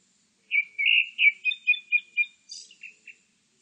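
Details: Grey-backed thrush song recorded in 2020: a run of about eight clear, whistled notes and short slurred phrases at a steady mid-high pitch, then a thin, high, buzzy flourish and two softer closing notes, against a silent background.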